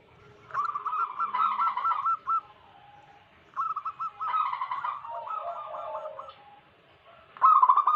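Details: Wild local zebra doves singing, used as a lure for trapping wild doves: bursts of quick, bubbling cooing notes, with lower rolling trills overlapping. Separate phrases are split by short pauses, and a loud new phrase begins at the end.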